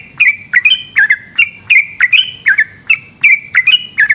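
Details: At night in Indonesia, a yellow-vented bulbul sings prolifically in the long ropel style: clear liquid whistles, often paired, with sharp downward flicks, repeated steadily about every third of a second against faint low background noise.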